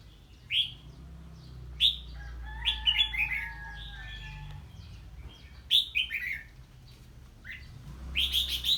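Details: Red-whiskered bulbul singing on hearing an unfamiliar bird: short bright whistled phrases, some rising and some falling in quick runs, with a steady low whistle-like tone midway and a low background hum.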